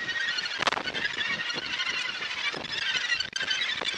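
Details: Many Australasian gannets calling at the Muriwai breeding colony, Auckland, New Zealand, January 2022, heard from the clifftop lookout: a continuous mass of scratchy, grating cries with a brief sharp crack near the end.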